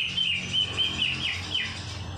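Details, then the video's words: Greater green leafbird (cucak ijo) song filled with kapas tembak material: a rapid run of bright whistled notes around a steady high pitch, some slurring downward, repeated several times a second over a low hum. "CUCAK IJO ISIAN KAPAS TEMBAK"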